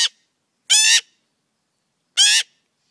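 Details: Close, very loud magpie fledgling giving harsh grating shrieks, each about a third of a second long, three heard with over a second of silence between them.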